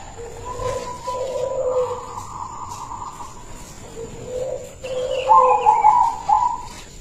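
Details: Local silver-coloured zebra dove with a big, melodious voice, recorded for luring other zebra doves: two cooing phrases of soft, rolling notes, the second louder and climbing to a trilled, bubbling finish, over a steady high electronic whine.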